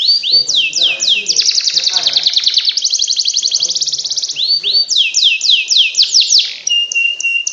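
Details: Canary special song to make lazy canaries sing: runs of rising sweeps, a fast buzzing trill, then more sweeps and a level sustained whistle, with faint low voices beneath.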